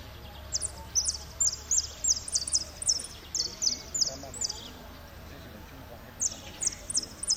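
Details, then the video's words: Saffron finch competing in a singing contest in Merlo, third place, 03/01/2016; repique song of high, sharp, evenly spaced notes, roughly three per second, a brief break, then a closing cluster, faint murmur behind. "Blanco de repíque 3ro en Merlo"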